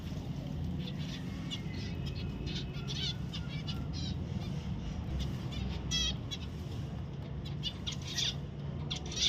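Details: Pet zebra finch giving short, high, nasal call notes in irregular bursts, several close together around the middle and end, over a constant low hum.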